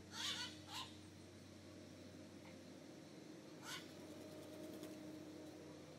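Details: Magpie jay, a common bird around Nuevo Arenal, Costa Rica, giving two harsh, rasping squawks in the first second and a third a few seconds later, over a steady low hum.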